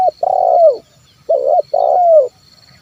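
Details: Spotted dove (terkukur) 'kuk 1' coo played to entice wild birds to sound: a short note, a long throaty purr falling at the end, then a rounded hoot and a second descending purr, with faint high background hiss.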